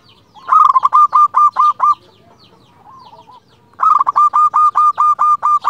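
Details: Local Indonesian zebra dove, a lively bird with a clear voice, singing to call a rival: two bursts of rapid, ringing, repeated notes. Each burst is about a second and a half long and is separated by softer, lower cooing phrases.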